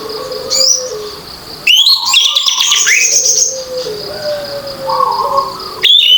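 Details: Loud, open-style song of an orange-headed thrush used to stir non-singing birds: a long burst of fast, tumbling, rising and falling high notes, framed by flat stepped low whistles and a continuous thin high tone.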